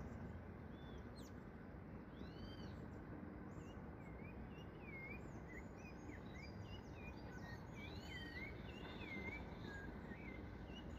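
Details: A tame, leg-ringed rufous-bellied thrush, free in the wild, sings from a tree, giving a string of soft, fluted whistles that swoop up and down, two or three notes a second, over a steady low rumble of background noise.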